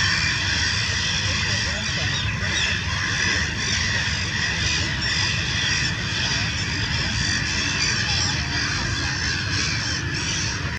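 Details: Black-headed and Mediterranean gulls defending their nests against an attacking black kite at the Rhine delta, Lake Constance, Vorarlberg, Austria, May 2016: a dense, unbroken chorus of harsh, overlapping calls from many birds over a low rumble.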